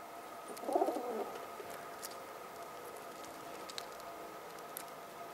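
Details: A mother pigeon with her chicks gives a single short, low, burbling coo lasting about half a second, then quiet with scattered light clicks while she keeps order among her young.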